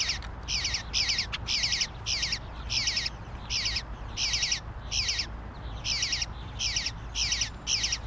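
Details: Demanding food, a male bluebird fledgling gives a steady stream of raspy, buzzing squawks, roughly fifteen in eight seconds, each a gritty stuttered burst, with a soft constant rumble beneath.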